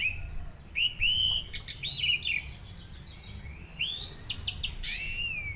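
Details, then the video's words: White-rumped shama singing as a master song for training other birds: varied rich whistles, rising slurs and short trills in irregular phrases, with a loud upswept whistle near the end and faint low background hum. "Masteran murai jalak suren gacor"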